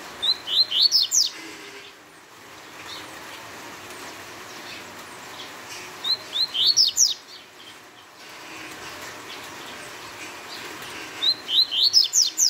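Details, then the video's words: Double-collared seedeater repeating its fast Tui Tui phrase three times, about five seconds apart, each a tight string of high, rising, chirping notes. "Coleiro Tui Tui rápido fora de série"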